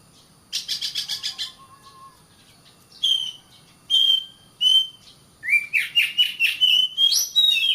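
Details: Oriental magpie-robin singing, a recording meant to coach caged birds into regular singing: a harsh buzzy rattle, then separate clear whistles after pauses, ending in a fast rising, warbling run of notes.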